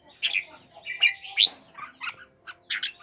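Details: Red-whiskered bulbul calling with kekek notes while displaying its wings; uneven bursts of short chirps and slurred whistles, some sharp peaks, with a low background hum throughout.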